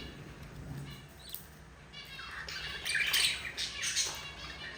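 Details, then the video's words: Four budgie chicks being fed by their yellow mother, quiet chatter building into loud, hoarse, drawn-out rasping squawks in the second half. "yellow mother budgie feeding her four babies"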